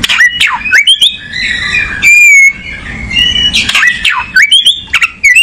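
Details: Kacer (oriental magpie-robin) singing: loud swept notes and chirps framing a sustained level whistle, then more rising and falling slurred notes in quick succession.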